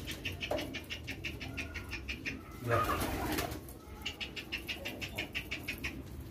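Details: Hand-fed young homing pigeons give a steady stream of hoarse, pulsed squeaks, several per second, throughout. A brief rustle or flutter sounds in the middle.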